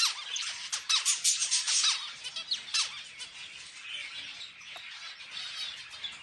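Zebra finch song of quick buzzy notes and high nasal squeaks in a busy, uneven burst.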